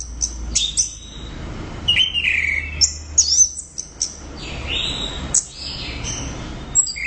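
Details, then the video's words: Orange-headed thrush in energetic song: bright high whistles, a slurred descending phrase and clipped chirps, separated by short pauses, with a faint low hum underneath. "Suara Burung | ANIS Merah Gacor Volume Keras Teler Mantap"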